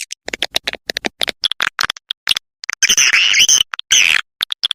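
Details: Swiftlet lure of the 'SP Mama Mudah' type, meant to draw in swiftlets: a string of sharp, evenly spaced clicks followed by two drawn-out, shrill chattering trills, then more clicks.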